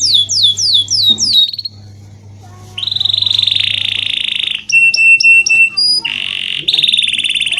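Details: Canary song used as a master recording to train lazy canaries to sing: rapid high descending whistled trills, a pause, then long buzzy rolled trills and bursts of sharp repeated piping notes, over a faint low hum.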